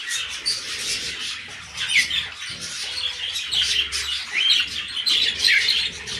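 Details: Pet cockatiel father and son calling together: busy high-pitched chirps and squeaky warbles overlap continuously, with a few brighter whistled notes standing out near the end.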